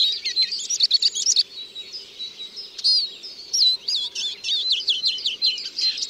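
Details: A Eurasian siskin delivers clipped chirps, then a drawn-out thin whistle, followed by a series of looping, bouncy slurred notes and twittering, with a low steady hum behind.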